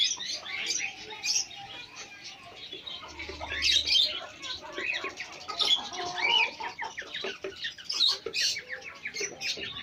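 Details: Hens kept as pets meet small chicks; continuous thin peeping and rapid chirps overlap throughout, swelling in louder bursts, with a faint low hum briefly in the background.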